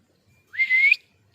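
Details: Pet ring-necked parakeet giving a single clear whistle about half a second long that rises smoothly with a slight upward flick at the end, against a quiet background.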